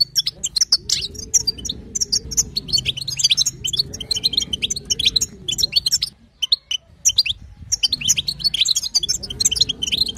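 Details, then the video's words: European goldfinch female giving batbata and sastasa calls meant to get a male singing; sharp high twitters and tinkling notes in bursts, broken by a short near-silent gap, with an intermittent low drone. "بتبتة وستسته حسون تجعل الحسون يغرد"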